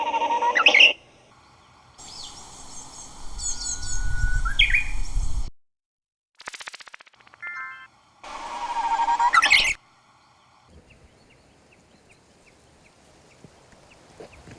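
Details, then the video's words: Japanese bush warbler song from a Korean island population: a long, steady whistle climbing into a quick, sharp flourish, in short clipped bursts over a low rumble and faint music. "그런데 내륙 휘파람새 소리는 휘슬 부분이 여러 차례 끊긴다."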